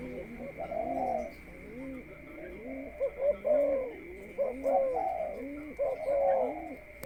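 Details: Spotted dove kept in a cage ahead of breeding, cooing in soft rolling phrases, each a short run of rounded, slightly rising notes, repeated about once a second amid a steady background hum.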